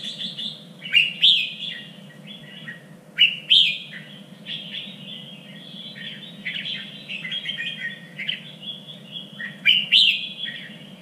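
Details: Red-whiskered bulbul singing as training for contest birds, a standard three-region voice: busy run of bright whistled, warbling phrases with loud emphatic notes about every two to three seconds over a low background hum.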